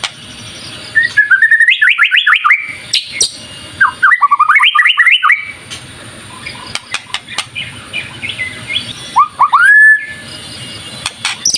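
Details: White-rumped shama singing, used as a lure to get other shamas singing: loud, varied whistled phrases, rising and falling, in bursts separated by short pauses, with sharp clicks between phrases and a final upslurred whistle.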